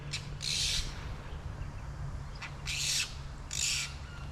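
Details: A flock of apostlebirds in woodland west of the Great Dividing Range, Australia, near a small dam, give harsh, scratchy squawks in three bursts about a second apart, over a steady low hum.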